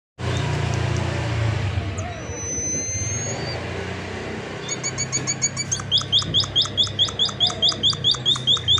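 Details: Munia recorded as lure audio to draw other munias into calling back. After about five seconds of low rumbling background and faint thin whistles, a fast run of sharp, high, downward-flicking chirps begins, about two per second, growing louder toward the end.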